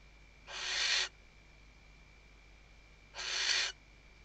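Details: A female Western barn owl calls to the male as she stuffs the nest, filmed by nest camera at Riet Vell reserve, Ebro Delta, Spain, 2023: two hoarse hissing shrieks roughly two and a half seconds apart.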